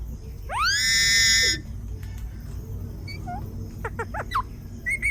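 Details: Parrot calling in a zoo in south India: one loud, harsh screech that rises sharply and then holds steady, followed by scattered shorter chirps over a steady low background hum.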